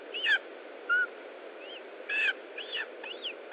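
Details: Lesser spotted eagle at a nest in Estonia during feeding, 20 July 2012 at 15:45: a few loud, short chirping calls with sharp downward slurs and bent, squeaky notes, spaced irregularly over steady low background hiss.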